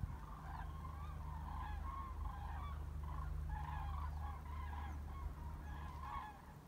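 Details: Migrating flock of cranes over Bremen on 30 October 2016, formations breaking up and reforming over the Weser, giving overlapping rolling, trumpeting calls several times a second over a steady low rumble of traffic or wind.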